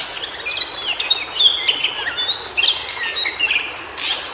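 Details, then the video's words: Natural-habitat recording of a White-browed shortwing: quick sputtering high twitters and short whistled phrases in an irregular stream, with a sharp noise burst near the end and steady background hiss. "Suara Burung Cingcoang Biru Di Habitat Aslinya"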